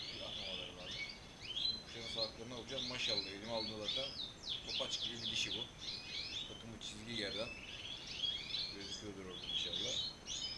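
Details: European goldfinches, a male and female put together as a pair. Continuous tinkling, twittering song with fast chirps and trills. Lower harmonic sounds mix in underneath.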